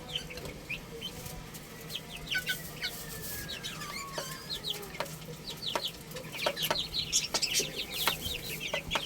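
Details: Young chicks playing and eating, scattered high chirps over a soft background hiss, with a longer, gently falling whistled note near the middle.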